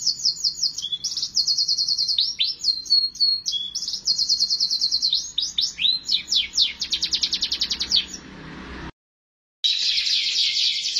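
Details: Canary in sustained song: twittering sweeps and chattering rolls, then a run of fast repeated notes, a short break of silence, and a dense high trill to finish.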